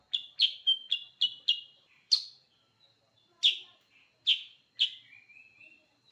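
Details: Sooty-headed bulbul calling very actively: a rapid burst of six short chirps, then four louder, spaced bright chirps and a soft rising thin note.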